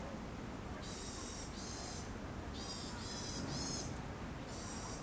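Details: Eurasian sparrowhawk in breeding season, April to June 2021, where mating was observed but nesting failed; rasping, nasal notes given in quick runs of two and three, with a steady rumble of background noise.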